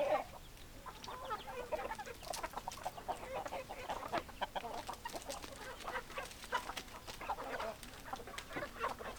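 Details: A crowd of hens and roosters keeps up a steady mixed clucking chorus of short, overlapping notes throughout.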